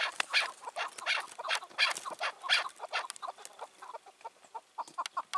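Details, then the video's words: Chukar partridge, a wild bird caught and released two years earlier, now five to six years old and dominant in its area, calling on an evening in June 2023: loud harsh broadband notes repeated about every half second, softer chatter between. "Sevdiğim Keklik Sesi"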